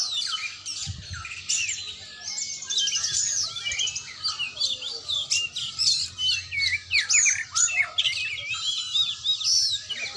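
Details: Oriental magpie-robin (kacer) singing during a training session: a dense, continuous stream of varied high whistles, trills and rapid chirps, with sharp upward and downward slurs, and brief low rumbles in the background.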